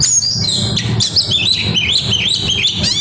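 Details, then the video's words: Oriental magpie-robin (kacer) singing in grabakan style with isian phrases: dense, shifting high whistles, sweeping slurs and rapid chirps in quick succession, with a low background hum. "burung kacer grabakan keluar isian"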